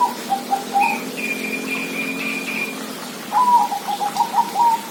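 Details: Zebra dove delivering quick chains of clipped coo notes, while a higher, drawn-out tonal call from another bird runs between phrases.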